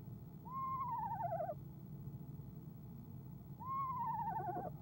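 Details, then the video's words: Eastern screech owl, a female, calling from a nest box at dusk on 25 January 2015 shortly before departing. Two wavering trills that rise briefly then slide downward, three seconds apart, with low background rumble. "ESO Athena trills"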